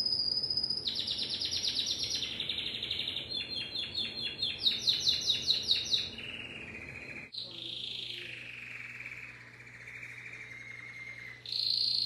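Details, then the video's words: Timbrado canary song: a string of rapid, rolling trills at varied pitches, a few pulsed stuttering phrases, then a long, smooth, slowly falling tone before another high trill. A faint low hum runs underneath. "تغريد كناري التمبرادو"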